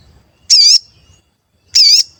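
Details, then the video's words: Sooty-headed bulbul in full voice, recorded as a lure call: two loud, high, wavering whistled notes about a second apart, each dipping and rising, with near silence between. "Pancingan Sogon Agar Bunyi dan Emosi, Sogon Bahan Auto Nyaut"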